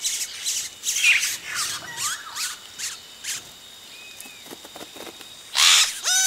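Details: Close recording of yellow-rumped cacique nestlings calling as adults come to the nest; busy high rasping chatter with thin slurred whistles, ending in a loud burst and a stacked, ladder-like falling call.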